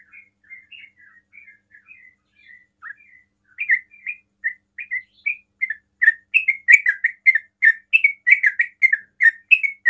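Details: Sooty-headed bulbul opening with quiet twittering, then a loud, fast 'ropel' series of repeated bubbly notes, sung to bait other bulbuls into answering.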